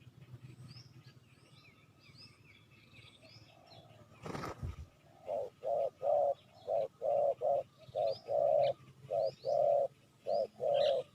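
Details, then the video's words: Spotted dove cooing on a recording used to lure wild doves: after a quiet start broken by a sharp knock, a run of short, hollow, evenly spaced coos follows. Faint high bird chirps sound behind. "Chim cu gáy chiêu kích mồi tập bổi nhanh nổi hiệu quả"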